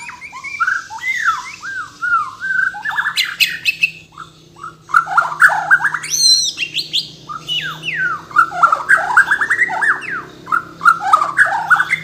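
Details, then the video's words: Bornean white-rumped shama, caged songbird from Kalimantan, pouring out a long varied song of looping whistles, rising and falling slurs and dense chattering bursts with hardly a pause. "MURAI BATU BORNEO GACOR FULL ISIAN || AMAZING BIRD CHIRPING MURAI BATU"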